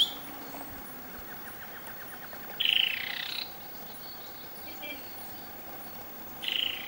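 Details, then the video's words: Black-cowled Saltator calling at Palambla, Piura, Peru: two harsh, buzzy notes of under a second each, about four seconds apart, with a faint series of soft ticking notes between them. "Black-cowled Saltador"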